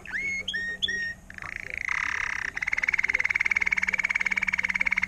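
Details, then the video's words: Sliding whistled notes open this song of a 2018 learned Timbrado canary, agate topaz intensive yellow, before a short buzzy passage and a long, evenly beating mid-pitched rolling trill; a faint low hum runs underneath. "Gelehrter Vogel mit Timbrado-Gesang"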